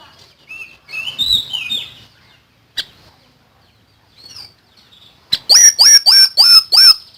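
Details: Common iora in energetic tutoring song: a brief buzzy warble, isolated clicks, then six loud, shrill, evenly repeated downslurred notes, roughly three per second.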